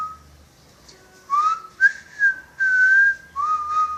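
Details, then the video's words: Indoor pet parrot known for wolf whistles and whistling a movie marching tune: a short faint tone, then several quick upswept whistled notes leading into a long, steady held whistle and a final rising note. "The Whistling Jungle Parrot"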